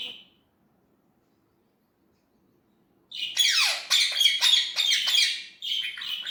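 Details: Indian ringneck parrot talking in its natural voice: a brief squawk, three seconds of silence, then a dense run of harsh, rapid, high chattering syllables with downward sweeps.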